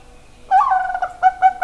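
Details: Zebra dove of the Bangkok type singing: a sudden loud cooing phrase at about 0.5 seconds, a sustained mid-pitched note, then three short, evenly spaced coos that close the phrase.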